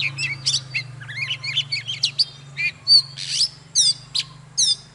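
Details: Oriental magpie-robin, a mature wild-caught bird, in lively morning song: wavering whistles, quick chips and bright looping phrases in uneven bursts over a steady low hum.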